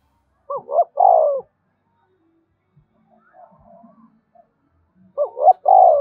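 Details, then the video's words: Repeated spotted dove coo, meant to get caged birds calling all day: a pair of phrases, each two brief upswept notes followed by a longer falling hoot, separated by quiet with faint soft sounds. "Tiếng chim cu gáy thúc cực đỉnh, mở lên bổi nghe gáy theo cả ngày"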